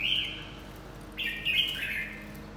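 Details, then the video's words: Red-whiskered bulbul during fight training: two bright warbled phrases, the first short and the second longer and chattering, with a quiet pause between them. "Chào mào tập chiến"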